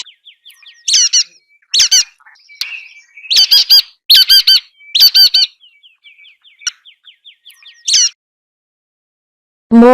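A nuthatch gives harsh, nasal squawking notes in short bursts and pairs, over a faint, rapid ticking in the background.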